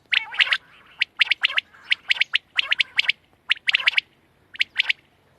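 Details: Quail giving rapid clusters of bright, clipped chirps, irregularly spaced over about five seconds, with a soft blurred note early on and little other sound.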